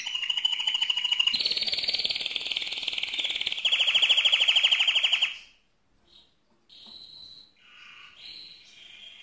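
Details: Mosaic canary in full loud song: a fast, rattling high trill that lifts in pitch and grows stronger for five seconds, then breaks off into a few scattered short whistles.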